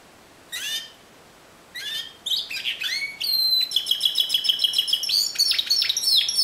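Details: Timbrado canary, discontinuous style: two separate descending chirps, then an accelerating stream of high, pulsed, metallic notes and short whistles, growing louder toward the end.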